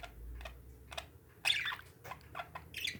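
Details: Pet parakeets give sparse short chirps, then a louder harsh squawk midway and a few quick chirps, over a quiet indoor hum.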